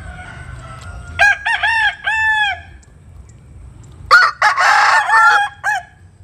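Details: Rooster crowing at dawn while chickens sun themselves in the morning: two loud harmonic crows, each broken into several syllables ending in a long drawn-out note, separated by a short quiet gap, with faint low background hum.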